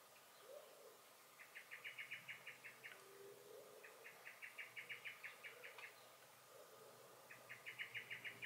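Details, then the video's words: Alarmed blackbird (Turdus merula) in a garden, 23 May 2021, repeating three long, fast chattering rattles of evenly spaced sharp notes. Faint low sounds lie beneath. "Song and Alarm Calls of the Blackbird"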